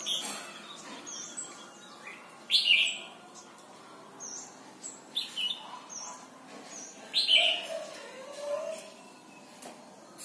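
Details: Red-whiskered bulbul song from Thailand, used to teach young birds: two loud, rich whistled phrases about five seconds apart, with quieter chirps between and soft low background noise.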